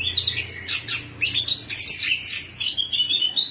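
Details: Orange-headed thrush song, used as a lure to get a silent bird singing: quick run of high, bright whistled and chirping notes, sliding up and down, in close bursts with short gaps, over a faint low hum.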